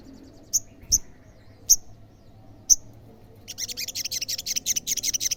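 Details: An olive-backed sunbird calling to draw replies from other sunbirds. Four isolated, piercing high chirps come at irregular gaps, then a rapid, pulsing series of high notes runs on steadily.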